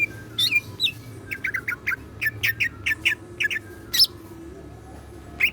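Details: Greater green leafbird (cucak ijo) kept in a collection, singing persistently with siklon fill-in song: opening chirps, then a rapid even series of sharp chipping notes, about five per second, ending with a louder high note and a final chip.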